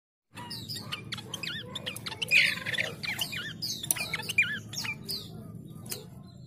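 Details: Chestnut-capped babbler lure recording used to attract rivals: repeated wavy, looping whistled notes with sharp chirps, several overlapping callers, and a low steady hum beneath.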